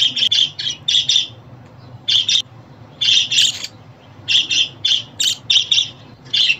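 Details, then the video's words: Budgerigar calling sounds to make a pet budgie happy: grouped scratchy chirps in pairs and short runs, separated by quiet gaps of up to a second, low hum beneath. "Muhabbet Kuşu Sesi, Kuş Sesi! Muhabbet kuşu ötüşü, muhabbet kuşu çağırma sesleri!"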